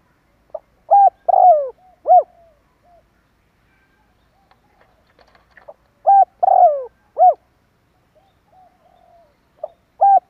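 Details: Spotted dove lure call for enticing wild birds: two cooing phrases about five seconds apart, each with a soft lead-in note, short coos flanking a drawn-out, descending middle note, and another phrase beginning at the end.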